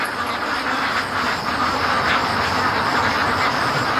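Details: Free-range domestic ducks, a big flock on their everyday rush between the lake and home, produce a thick, continuous murmur of countless overlapping quacks that swells and ebbs without pause.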